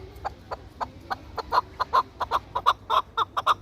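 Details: Chukar partridge, a hunting and fighting bird from Tajikistan, calling with clucking chuck notes that start spaced and quiet, then grow louder and come faster toward the end.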